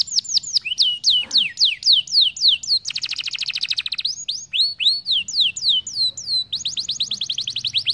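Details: Canary song meant to teach young birds rolling: rapid falling whistled notes alternating with dense trilled rolls, one buzzy roll near the middle and another fast roll near the end.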